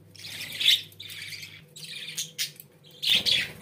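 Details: Pet budgerigars chattering indoors: grating warbles and chirps in uneven bursts, a louder scratchy phrase at the close, over a faint background hum.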